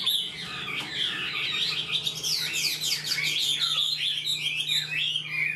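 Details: Newly caught Chinese hwamei in captivity, quick to sing, pouring out a dense fast medley of high slurred whistles and rolling trills that rise and fall without pause, over a steady low background hum.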